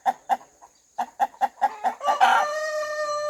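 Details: A rooster in a farmyard clucks in short, punchy notes, about ten in two seconds. The clucks then swell into a sustained, harmonic, drawn-out call that carries to the end.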